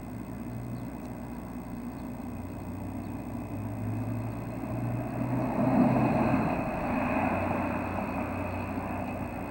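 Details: Steady rumbling vehicle and engine noise at 6:30 in the morning on May 25, swelling slightly midway, with no animal calls.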